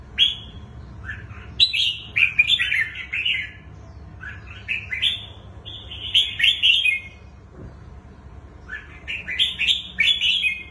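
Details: Red-whiskered bulbul of the bổi type, praised for its twisting song, delivering lively rapid warbled phrases in bursts of about two seconds separated by short pauses, bright and slurred, over faint indoor hum.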